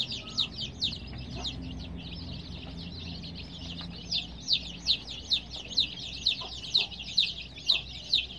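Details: Baby chicks of colored varieties, kept indoors under veterinary care with added heat, cheeping continuously in high, quick downward-slurred peeps, several birds overlapping at a rapid pace with steady low hum underneath.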